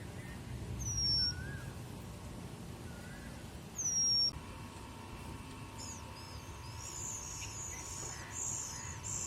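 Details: Oriental magpie-robin feeding its chicks at a bird house; two loud, sharp whistled notes slide downward about three seconds apart, with fainter lower whistles between and a steady low hum behind.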